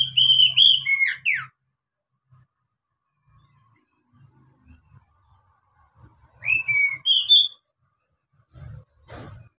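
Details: Oriental magpie-robin song for training beginner captive birds: a whistled phrase ending in a steep falling note, a long quiet gap with faint low thumps, then two rising whistles and a soft click.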